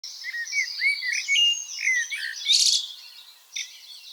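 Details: A common blackbird gives an alarm call at 4:30 in the morning outside a bedroom window: a run of sharp, high chirping and chattering notes with harsher bursts near the end.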